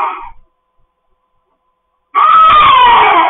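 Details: Harsh screaming from pet cockatoos in a home: a screech trails off, silence follows, then another loud grating scream of over a second with a wavering tone.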